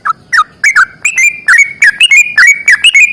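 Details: Sooty-headed bulbul singing a long rapid fighting song ('ropel panjang'): continuous clear, liquid whistles, slurred up and down, delivered in quick pairs that run together without a break.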